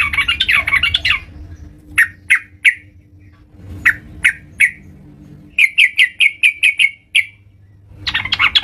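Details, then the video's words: A yellow-vented bulbul sings vigorously (gacor) at home. A burbling phrase opens, then spaced single notes follow, then a fast string of about nine clear notes, and it ends in another chattering burst. "terucukan gacor"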